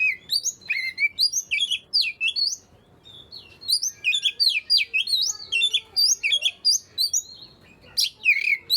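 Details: Oriental magpie-robin song meant to set silent magpie-robins singing: fast bursts of sharp, bright whistles and chirps, a short quieter pause in the middle, then dense looping phrases to the end.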